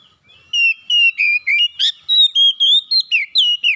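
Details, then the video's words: Household Oriental magpie-robin in full song after being silent: a fast, steady stream of sweet, high whistled notes, varied and slurred, about four per second, with one harsh rasping note in the middle. "SEKALI ON KACER RUMAHAN MACET BUNYI LANGSUNG GACOR"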